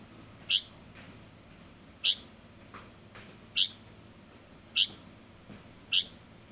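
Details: Light-vented bulbul fledgling uttering loud, crisp single chips at irregular intervals, with a few fainter, softer notes between them.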